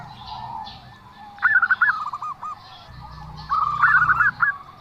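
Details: Zebra dove with an odd call: after a faint opening, two separate quick runs of choppy, slightly rising notes, each lasting about a second, over a soft low hum.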